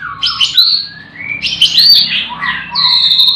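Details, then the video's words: White-rumped shama singing in the morning at a livestock pen where many birds sing: high whistled notes slide up and down between sweeping phrases, with a faint low hum beneath. "Pancingan murai batu di kandang ternak ll chirping magpie"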